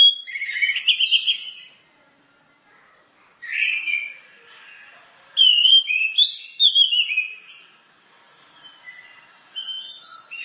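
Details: Orange-headed thrush singing, one of several tutor songs: bursts of sweet whistled and warbled phrases separated by silent gaps of one to two seconds, with a rapid twittering run near the middle.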